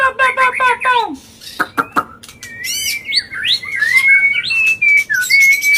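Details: Non-stop agitated song of a white-rumped shama meant to provoke other birds, opening with rapid descending chattering notes and sharp clicks, then a rich run of varied whistles and slurs ending in clear level whistles.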